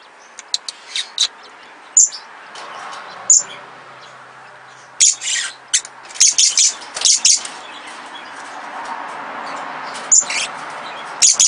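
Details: A recently acquired pair of captive little lorikeets, small Australian lorikeets, give shrill, high screeches and sharp chips in irregular bursts, with short rapid clusters and pauses between.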